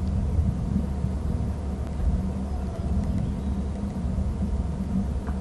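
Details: Steady low vehicle-like rumble with faint scattered ticks and no clear animal voice.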